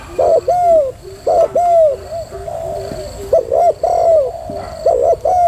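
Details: Hen spotted dove calling steadily: paired coos, a brief stutter followed by a longer falling note, repeated about five times over nearly six seconds, some quieter coos between, light background hiss.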